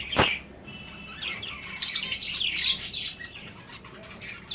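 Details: High twittering and short rising tweets come from breeding finches, opening with one sharp click and then dense clusters of chirps.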